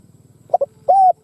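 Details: Spotted dove decoy bird cooing to provoke wild doves into fighting: two short clipped notes followed by a longer, steady, mellow coo, with nothing else audible.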